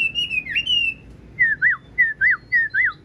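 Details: Large, blue-eyed Chinese hwamei, tame and kept in a cage, still singing. A long wavering whistle is followed by five clear rising-and-falling whistled notes, spaced about every half second.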